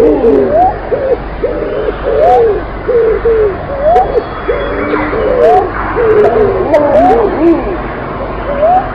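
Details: Several pigeons calling together, producing dense overlapping arched and rising tonal notes that repeat continuously across nine seconds, with occasional faint clicks in the background.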